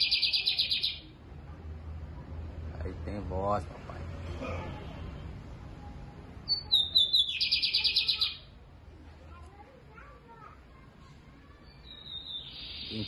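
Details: Lined seedeater singing loud and deep-voiced just after one in the afternoon on 22 April: short, high, buzzy pulsed phrases about a second long, with a descending whistled slide into a rattling trill; a man's voice talks between phrases.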